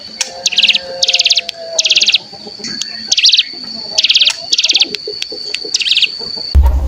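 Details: Bar-winged prinia lure recording meant to make other prinias sing and trill. Bursts of rapid, buzzy, rattling notes repeat about every second with short gaps. A steady high whine runs under them, and a low thump comes at the end.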